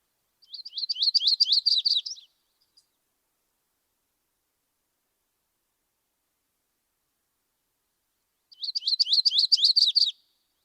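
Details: Audubon's Yellow-rumped Warbler (Setophaga coronata) summer song in southwest Idaho: two short, high, slurred trills of quick, evenly paced notes.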